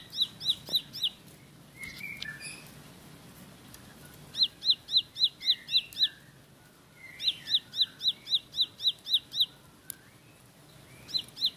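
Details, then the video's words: Bar-winged prinia (ciblek sawah) singing: rapid bursts of five to nine sharp, high, clipped notes, with softer lower chirps between bursts. "Tembakan Roll Spead Ciblek Lagu Full Kolibri"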